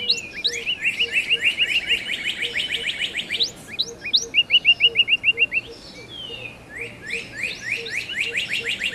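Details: Northern cardinal with overlapping phrases of fast repeated whistled slurs and short trills, with a steady low pulsing tone ticking underneath throughout.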